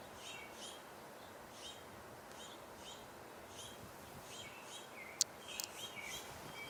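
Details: An American Robin sings faint, clear caroling phrases in a steady run, possibly with house sparrows also vocalizing, against a soft outdoor hiss and a few sharp clicks near the end.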